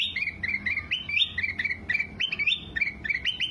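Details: Ruby-throated bulbul song used as a training recording for cage birds: bright whistled two-part phrases, each a short rising note dropping to a lower held tone, repeated rapidly and continuously over a faint low background hum.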